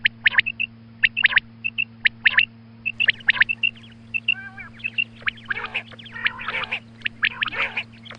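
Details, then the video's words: Morning calls of a female quail: rapid clusters of bright, high clicking chirps in quick succession, with a few nasal, buzzy notes toward the middle and dense overlapping chirping near the end, above a constant low hum. "Female Quail Calling Suba Lagty waqte Ki Awaz Female Batair Calling"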